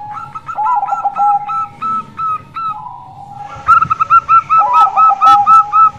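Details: Female local zebra dove song, used to lure males that seldom sing or wild doves: rapid runs of short, hooked, fluty notes, some overlapping at two pitches, with brief pauses between bursts.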